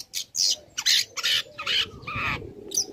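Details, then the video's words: Young long-tailed shrike singing eagerly, used as a provocation recording to rouse other shrikes into answering. Harsh, raspy bursts come in quick succession, with a faint lower tone running beneath. "Pancingan Emosi | Cendet Muda Gacor Belajar Materi Bikin Cendet Manapun Auto Nyaut Emosi Ikut Bunyi"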